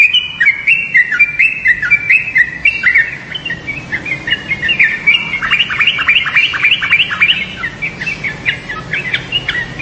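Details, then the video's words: Yellow-vented bulbul chattering in quick bubbly whistled phrases, early notes spaced out, then a denser burst of rapid up-and-down notes midway, continuing in fast series. "SUARA TRUCUKAN"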